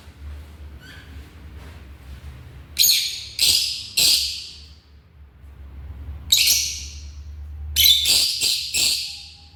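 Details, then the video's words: African lovebirds calling with loud, harsh, high screeches, a pair of bursts and then a quick cluster of three or four, against faint low hum. "The Vibrant Sounds of African Love Birds"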